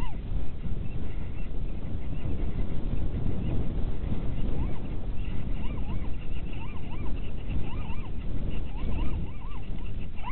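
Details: Little owls at Winterswijk, Netherlands, around mating, January 2017 at 17:30, give a quick series of arched, yelping notes, two or three per second, rising then falling, over a loud low rumble of wind or traffic.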